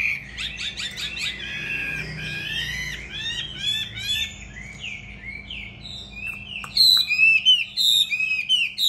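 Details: Caged, tamed fighting Hwamei indoors: quick clicking trills open into a series of arching whistled notes, followed by sparse high, ringing whistles with short silences between them.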